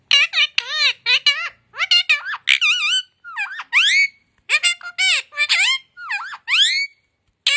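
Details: Talking pet parrot, credited with Hindi, English, Urdu, Kannada, Malayalam and Telugu, delivering a steady stream of shrill, speech-like syllables with rising and falling inflections, separated by short gaps.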